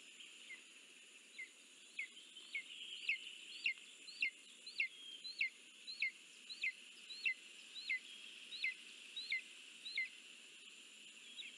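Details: Lesser spotted eagle at its nest during a food delivery on 9 July 2024, giving a long series of high, sharp yelping notes, each with a rising then falling hook, repeated about every two-thirds of a second against a steady high hum.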